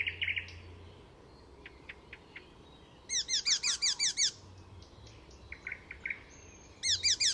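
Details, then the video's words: Fysingen, Sweden: a mimicking Icterine warbler gives a short buzzy burst, a few scattered ticks, then a loud series of eight rapid hooked notes, more soft notes, and another hooked run. "Icterine Warbler in full song; A master of mimicry…"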